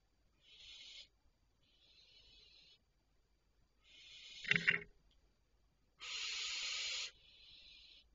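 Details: Barn owls calling at night, 01:26 on 3 July 2023: a series of rasping, breathy hisses of about one second each, one much louder and longer near the end, with a brief knock or thump in the middle.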